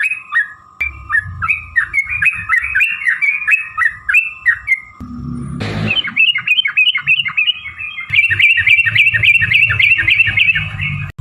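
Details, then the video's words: Long fighting song of a yellow-vented bulbul, played to provoke birds into answering: bubbly, rising-and-falling notes in quick succession, a brief burst of noise midway, then a denser, faster run of chattering notes over a low hum. "trucukan gacor TARUNG ROPEL PANJANG"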